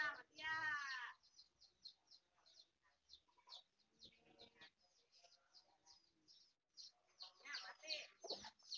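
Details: Hen foraging with chicks: opens with a loud, harsh, drawn-out squawk lasting about a second, followed by steady high chick peeps and faint low clucks, then a louder cluster of calls near the end.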